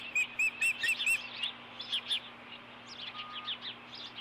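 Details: Ospreys at a nest camera on a ranch, 4 April 2014 around 10:57, as the male brings a fish to the female; a quick run of five high, clipped whistled chirps, then softer scattered chirps over a steady low electrical hum.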